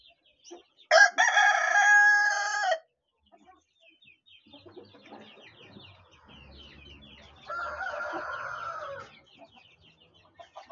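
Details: Leghorn rooster giving a loud, strained crow of almost two seconds, then a second, quieter crow several seconds later, with small birds chirping steadily in the background.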